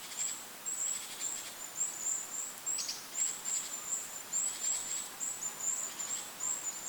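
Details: High, sibilant Goldcrest calls from forest over a lake, short squeaky notes chained almost continuously for several seconds against constant wind hiss.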